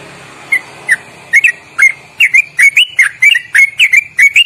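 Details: Sooty-headed bulbul singing a long, loud ropelan trill with fast inflected notes, kept as training song: sparse whistled chirps at first, then quickening into a steady run of short bending whistles, faint low hum beneath.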